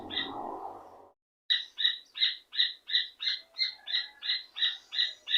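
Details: Rufous hornero calling a female. A second of rough broadband noise and a short silence come first. Then a steady train of loud, bright, ringing notes follows, about three each second.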